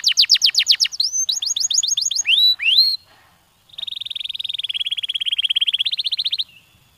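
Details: Canary stimulating song with quick falling-note trills and rising slurred whistles, a brief pause, then a long, fast, even rattle-like trill of close-set notes held for nearly three seconds.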